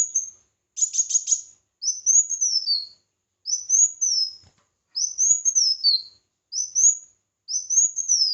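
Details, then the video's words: Red-whiskered bulbul in competitive singing, recorded for voice training: a short whistle and a harsh, rapid buzzy rattle, then five high whistled phrases that rise and fall, repeated steadily. "Chào Mào Hót Đấu"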